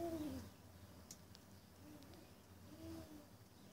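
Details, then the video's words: Spotted eagle-owl calling at a property in suburban Johannesburg, 28 February 2014: low, soft hoots with a slight downward slide, repeated about three seconds apart over quiet background hiss. "SPOTTED EAGLE OWL: Montage of photos and call"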